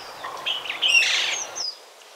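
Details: Caatinga parakeet in Brazil's Caatinga biome giving a short harsh burst of screechy, high calls lasting about a second, with a faint chirp before and a thin rasp trailing off.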